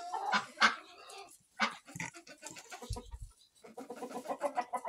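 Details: Mixed flock of barn chickens, hens and roosters of many breeds kept with two ducks, recorded in September; busy overlapping clucks and squawks, with short harsh calls repeated rapidly and a low thump midway.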